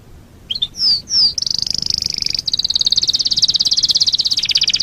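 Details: Master-track canary singing for birds in training: two clear slurred whistles lead into a sustained, very fast, high trill of even pulses that continues to the end.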